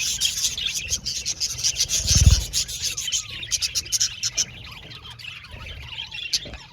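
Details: Aviary colony of budgerigars chattering, fast high chirps and trills that come in bursts, with a dull low thump or rubbing noise near the middle and the chatter thinning toward the end.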